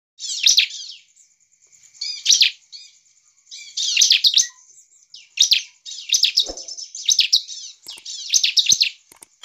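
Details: Bar-winged prinia (ciblek) singing loudly, used to provoke other birds into singing: short bursts of sharp, high twittering notes in rapid clusters, repeated every second or two with brief pauses between phrases.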